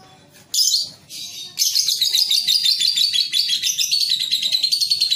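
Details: Young lovebird, called a lovebird paud, on a training recording meant to make it sing more readily and produce long ngekek chatter; after two short bursts, dense rapid high chattering runs continuously for several seconds.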